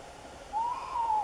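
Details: Tawny owl hooting: a single smooth, slightly rising then falling hollow note, heard over a steady low background hiss.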